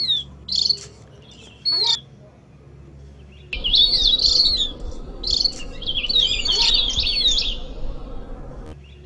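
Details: Javan grey-throated white-eye (opior Jawa) master lure recording for songbird training: bright, high twittering chirps in short bursts, several overlapping, over a low steady hum.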